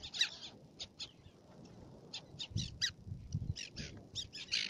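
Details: Black-naped terns at Fares, Baa Atoll, Maldives, calling in quick succession: a busy run of sharp, grating high notes, several overlapping, rising in density toward the end over a low murmur of background noise.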